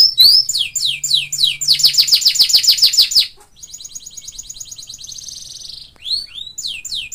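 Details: Isian-style canary song, quick down-slurred whistles leading into a loud dense rolling trill, then a softer buzzy chatter and more fast falling notes.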